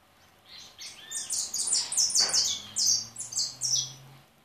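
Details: A European goldfinch's high, tinkling twitter builds from soft notes into a rapid chain of sharp chirps, over a faint low steady hum.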